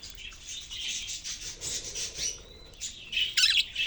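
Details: A cage of budgerigars twitters in a steady high chatter, ending in a louder, harsh squawking burst.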